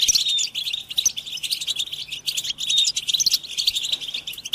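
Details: Group chatter of European goldfinches, mating and readiness calls meant to rouse silent captive males into song: a loud, unbroken stream of sharp twittering chirps and liquid trills, with occasional clear whistled notes.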